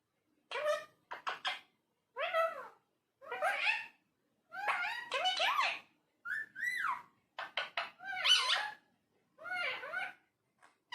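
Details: A talking parrot indoors gives a run of short, squeaky, speech-like phrases with bent, rising and falling harmonic tones, some syllables clipped and whistled, in a quiet small room.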